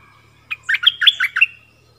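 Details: Stripe-throated bulbul, recorded 1 April 2021 as a lure call while a wild bird came near but did not land, likely with chicks in its nest: one quick, bubbly phrase of about six liquid mid-pitched notes, over a faint whine and low hum.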